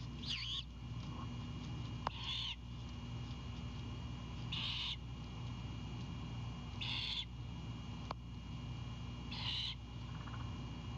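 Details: Great horned owlet on a Savannah nest cam at 22:21 on 4/7/22, greeting its mother as she returns with an Anhinga: five raspy, hissing screeches, each about half a second, spaced roughly every two and a half seconds over a steady low hum.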